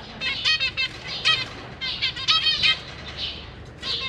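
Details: Zebra finches in a cage, parents feeding three juveniles and three newly fledged babies: clustered nasal chirps from multiple birds, loudest early, then sparser with a drawn-out buzzy note at the end.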